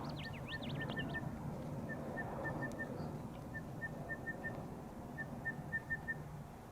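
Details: Crested bellbird (Oreoica gutturalis) calling in the background near wild horses in November 2018 after summer storms: short, clear, bell-like notes in quick runs, with a few higher swooping whistles at the start, over low wind rumble.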